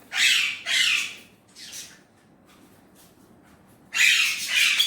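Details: Talking Indian ringneck parrot, words in Urdu/Hindi. Two loud rasping syllables and a fainter third are followed by nearly two seconds of quiet, then a long, loud, scratchy phrase.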